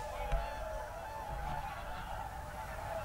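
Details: On the evening of 7 February 2023 in a national park, a distant flock of whooper swans, with geese nearby, calls together in steady, overlapping mid-pitched trumpeting notes that blend into one continuous chorus over a low rumble.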